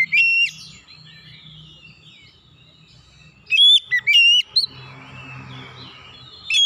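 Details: Oriental magpie-robin, an untrained bird, in powerful loud song: a brief whistled burst opens, then a later cluster of sharp rising and falling whistles, over a faint low hum throughout.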